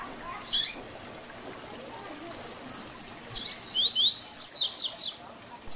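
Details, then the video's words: Double-collared seedeater giving a Tui Tui Zel Zel teaching song for training young birds: scattered high thin notes at first, then a quickening series of bright down-slurred and rising whistles, ending with a single sharp note. "Tui Tui Zel Zel Diferenciado Encarte seu Coleiro ou Papa capim"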